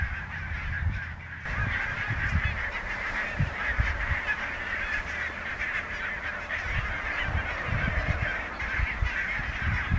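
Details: Large flock of barnacle geese at Niittylahti, Savonlinna, Finland, on 5 October 2017, keeping up a dense, continuous chorus of short, yapping barks over low wind rumble.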